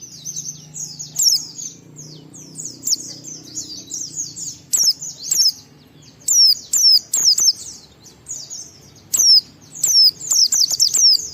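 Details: Energetic white-eye song used to stimulate other white-eyes to sing: a continuous high twittering warble broken by loud sharp descending whistled notes, clustered in rapid bursts in the second half.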